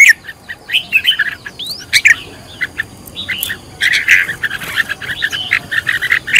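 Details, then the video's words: Red-whiskered bulbul singing as a decoy bird in a fired-up 'căng lửa' style: loud, clear whistled and chirped notes in quick varied bursts with short gaps, some rising slurs, over a quiet background. "Cách luyện chào mào mồi - căng lửa| luyện chào mào thành mồi, luyện giọng chào mào hót hay"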